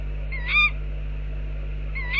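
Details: Two short, bright, slightly rising calls from tawny owls outside an owl box, about one and a half seconds apart, the second cut off at the end, over a low steady hum.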